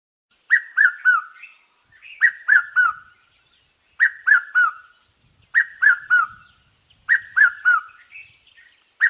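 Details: Southern African Jacobin cuckoo (Clamator jacobinus) giving ringing, slightly falling notes in quick groups of three, repeated about every one and a half seconds, with softer rising notes between.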